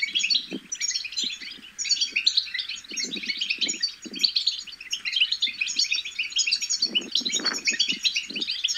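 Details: Young European goldfinches babbling, a recording meant to stir goldfinches into song. A busy, unbroken stream of high, overlapping tweets and buzzy trills, with low muffled thumping bursts scattered through it, strongest near the end.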